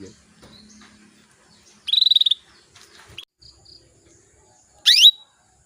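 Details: Female canary calling to males, used to spur males into singing; a fast buzzy trill near the top of the range, a faint lower hum, then a sharp rising sweep ending in a short whistled note.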